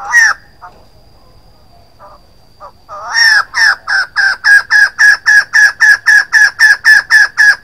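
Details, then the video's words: Female White-crested laughingthrush: one harsh, rising note, a few faint notes, then a rapid run of loud, regular, harsh chattering notes, about four per second, continuing to the end. "White-crested laughingthrush female sound 02"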